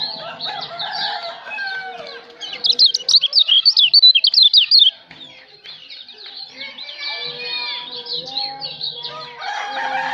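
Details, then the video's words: White-eye from Lombok, locally called kecial, singing as training material: varied high twittering with sliding whistles and a fast run of sharp repeated notes in the middle. "Buat masteran kicau burung kecial lombok"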